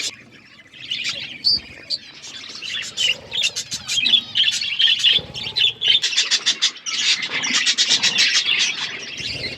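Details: Budgie flock eating food, rapid trains of short sharp chirps and warbled chatter, often in quick pulsing series, building from a quiet start to steady lively calling from many birds.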